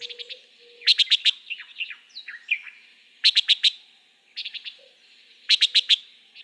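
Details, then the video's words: Antillean Nighthawk at dusk in the Florida Keys giving repeated rapid series of four clipped, high, ticking notes every couple of seconds, with softer chattering notes between bursts and a faint low hum early on. "This is what the Antillean nighthawk sounds like."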